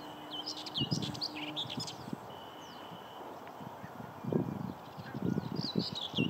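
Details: A common whitethroat at Rainham Marshes gives short, scratchy high chirps and brief warbled phrases in loose bursts, over low rumbling wind and knocking noises.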